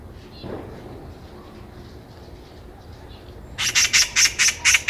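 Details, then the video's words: Quiet walking-path background for several seconds, then a Eurasian magpie bursts into a fast series of harsh, rattling chatter notes. "까치 새소리"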